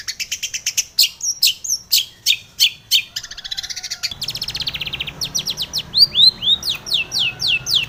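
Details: Female long-tailed shrike calling to males in the morning, played to train caged birds: steady rows of sharp chips and a buzzy rattle, then a series of falling slurred whistles over a soft low hum.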